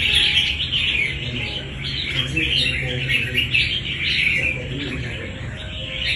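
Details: Red-whiskered bulbul, a wild-caught bird kept for fighting, gives a stream of lively chirping and warbling, short bursts running together almost without pause, with a faint low rumble beneath.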